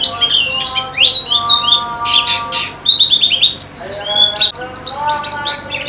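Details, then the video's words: White-eye (pleci) song for a contest-simulation therapy recording: rapid high chirps and sliding whistled notes, densely overlapping, with steady lower humming harmonic tones running underneath much of the clip. "Terapi Pleci Cepat Ngalas dan Semakin Gacor"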